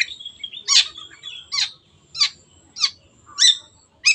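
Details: Long-tailed shrike lure song for birds that have stopped singing: sharp, scratchy downslurred notes about every 0.6 seconds, with soft twittering notes and a thin whistle between them.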